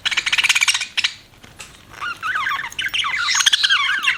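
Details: Budgerigars chirping: a rapid stuttering rattle of evenly spaced pulses, a short pause, then lively wavering warbled chatter.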